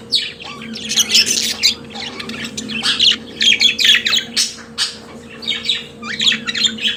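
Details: Pet budgerigars chattering busily, dense overlapping squawky chirps and scratchy warbles almost without pause, over a faint steady hum.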